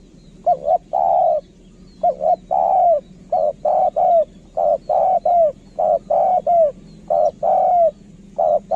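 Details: Spotted dove used as a decoy, singing in kharom style in rapid succession: many phrases of two short coos and a long falling coo, closely spaced, over a steady low hum.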